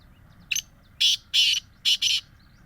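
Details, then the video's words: Black francolin, one of the birds offered for sale in Bhakkar district, gives a harsh, scratchy five-note phrase. A brief clipped opener leads into two broad rasping notes and ends in a tight double note, over a soft background rumble. "کالے تیتر کی آواز"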